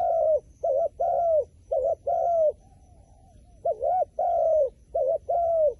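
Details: Paired low coos of a wild pigeon, a short notched note then a sustained arched note, with a brief pause mid-sequence before the phrases resume.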